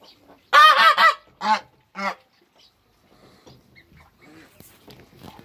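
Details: Backyard Toulouse goose mother with newly hatched hybrid African and Toulouse goslings; three or four loud, nasal honks come in a quick burst, then fade to faint background rustling and soft noises.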